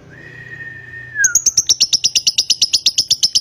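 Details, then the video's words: Lovebird in konslet style, bred in Nganjuk, Indonesia, giving long continuous singing: a steady whistled note held about a second, then a rapid run of sharp high chirps repeated around three per second. "LOVEBIRD KONSLET"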